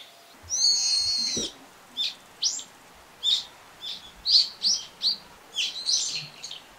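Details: Brown-eared bulbul calling: one long, harsh, squealing note followed by a string of brief sharp chirps roughly every half second, against a quiet background.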